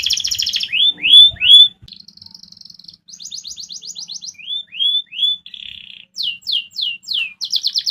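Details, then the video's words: Canary singing a varied song that provokes rivals to respond: loud buzzy opening, rising whistled notes, a steady high buzz, a soft rapid trill, more rising slurs, then descending sweeps and a closing fast trill; changing loudness. "Suara kenari ini yg bikin lawan cepet nyaut"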